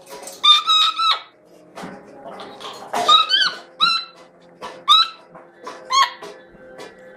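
Chestnut-fronted macaw giving harsh, grating squawks in short bursts, about one every second or two, over background music with singing.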